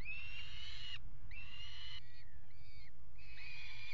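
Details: Peregrine falcons pairing on the nest ledge of a water tower in Axel, Netherlands, recorded 5 February 2018 at a nest box: four drawn-out, even, harmonic wailing calls of about a second each, over a constant low rumble.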